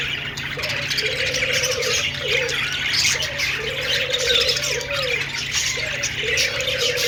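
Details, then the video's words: Many budgerigars chirp together in a steady, busy high-pitched twittering; a deeper repeated cooing call recurs about every two and a half seconds underneath. "Budgies sounds /love birds sounds/budgies singing/parakeets chirping sounds"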